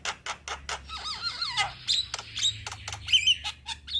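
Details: Young Javan myna singing vigorously, mixing sharp clicks and snapping notes with looping, slurred whistles that sweep down and up, plus short high squeaks.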